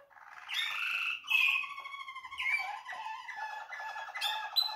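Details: Young Waterslager canary hatched in 2020, recorded January 2021, singing indoors: clear whistled and rolling notes, some bubbling and warbled, in short phrases that step down in pitch, with brief higher trills near the end.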